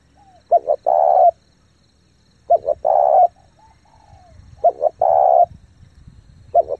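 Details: Spotted dove giving rapid cooing to stimulate decoys and train young birds: three full low phrases of two short notes plus a long coo, about two seconds apart, and a fourth phrase beginning at the end.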